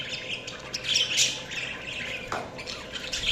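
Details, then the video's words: Chattering budgerigars give a continuous run of scratchy chirps and warbled notes, a sharper squawk around the middle, layered over faint constant hum. "Budgies Chirping sounds"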